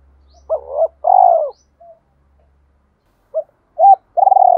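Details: Spotted dove fight-challenge cooing: a wavering coo and a long falling coo, a pause, then short arched notes leading into another throbbing coo, with a faint low hum early on.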